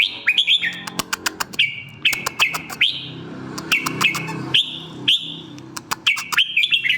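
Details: Red-whiskered bulbul singing a series of liquid, rising, whistled notes in short phrases, with sharp dry clicks scattered throughout and a faint low hum in the background.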